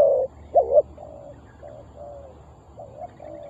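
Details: Spotted dove used as a decoy to lure wild doves for trapping: a loud two-part coo opens, then softer, lower repeated coo notes trail off over a quiet background.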